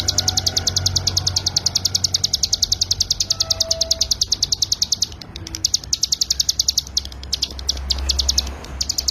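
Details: Mountain prinia (ciblek gunung) in 'ngebren' song meant for training songbirds: a long, rapid series of high, ticking notes, briefly broken midway, with faint other bird notes behind.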